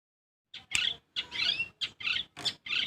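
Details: Long-tailed shrike singing: a series of short, harsh, chattering bursts about a quarter-second apart, each high-pitched and noisy. There is a brief pause before the first burst.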